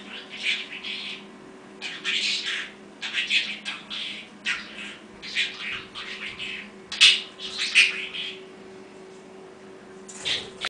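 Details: Pet parrot talking Russian, with a steady stream of short, breathy, speech-like syllables in uneven phrases and a few sharper, squeakier notes, over a constant low hum indoors.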